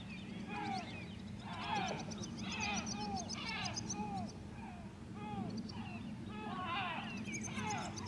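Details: White-tailed eagle yelping at Grönvik, Ornö, 16 July 2024: rapid clusters of arched, downward-sliding notes with thin high ticking overtones, over a continuous low engine drone.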